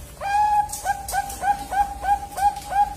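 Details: Two-month-old Bangkok-type zebra dove chick at a bird farm, learning to sing: a rapid series of short, flat, pure-toned notes, each opening with a brief upward slide, repeated about three times per second.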